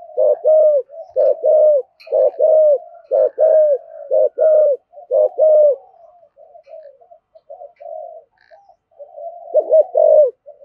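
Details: Spotted dove cooing in the 'thổ' voice, meant to prompt doves to answer. Loud, throaty coo pairs repeat roughly once a second, then fade into softer murmuring notes before a final strong burst.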